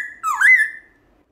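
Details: Black-throated laughingthrush singing a wild-style song used to stimulate pet laughingthrushes to sing: one short clear whistled phrase, dipping then rising and levelling into a steady ringing note that fades away.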